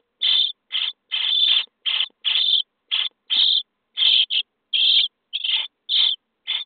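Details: Quieter begging from starling chicks fed in a nest box, day 23: a rapid, uneven run of about fourteen scratchy, hissing rasps with short gaps between them.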